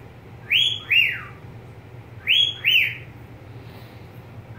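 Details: A pet budgerigar repeats a two-note whistle, each note rising quickly then gliding downward. The pairs come roughly every two seconds, with a low indoor hum underneath.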